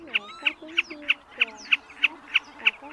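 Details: Common snipe, a large fan-tailed bird, in a lure recording for night net trapping: evenly spaced harsh, clipped notes about three per second, with faint lower tonal sounds behind.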